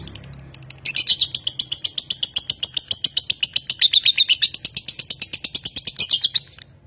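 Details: Lovebird of the konslet type, bred in Nganjuk, Indonesia, launching after a short quiet start into a sustained burst of fast, piercing high chirps lasting over five seconds.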